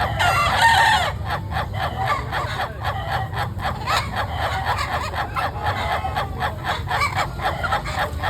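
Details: Laughing chicken, an Indonesian breed (ayam ketawa), crowing at length: a fast, cackling, laugh-like run of clipped syllables, about four per second, held steady over several seconds, with a low hum behind it.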